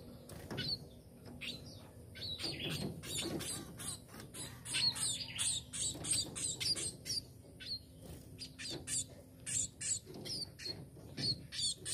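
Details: Tame sparrow chattering with rapid, sharp, high-pitched chirps and short squeaks, coming in irregular clusters over faint background noise.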